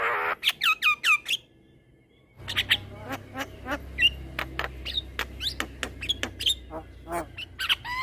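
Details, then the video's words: Javan myna singing a long rolling song used as a tutor for training other mynas. Rapid harsh squawks and upslurred whistles, a brief pause, then a dense run of clicks, rasps and rising whistled notes over a low hum. "Jalak Kebo Gacor Ngeroll Panjang Cocok Untuk Masteran Segala Jenis Burung Jalak"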